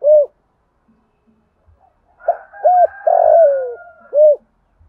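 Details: Spotted dove decoy calling to provoke wild birds: a clear arched hoot, a pause with soft taps, then two arched hoots and a long falling coo over a higher hoarse drone, closing with another hoot.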